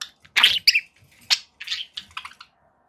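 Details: Budgerigar kept as a pet, giving a loud harsh squawk followed by a string of softer scratchy chirps and warbling notes that fade out.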